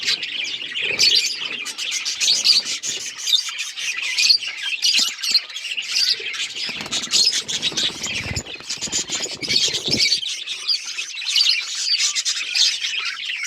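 A dense flock chatter of Australian parrots, continuous high chirps and squeaky twitters overlapping without pause, with a few harsher squawks.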